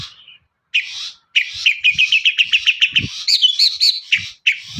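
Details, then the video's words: Long-tailed shrike singing a lure song meant to prompt other shrikes to sing: a fast run of repeated chirped notes, about four per second, then higher twittering phrases with short pauses. "CENDET GACOR SUARA AMPUH..! pancingan burung cendet paling dicari"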